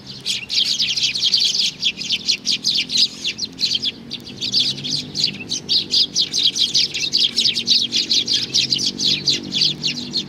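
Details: Baby sparrow in a sustained, rapid series of high chirps, nearly continuous and pulsing several times a second.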